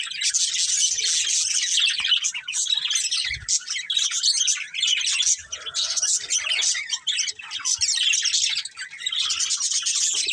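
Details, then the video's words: A breeding pair of budgies chirps nonstop for about ten seconds. The chatter is dense, scratchy and warbling, with fast high squeaks and a few soft knocks in the background. "Cute Budgies Chirping Sounds"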